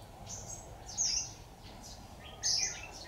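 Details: Red-whiskered bulbul, decoy trapping on 26 October 2019: two loud, piercing high chirps about one and a half seconds apart, with faint fainter notes around them and low background noise.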